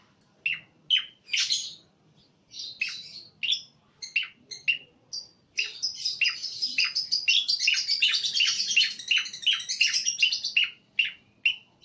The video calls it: Burung Cucak Koreng Jantan Berkicau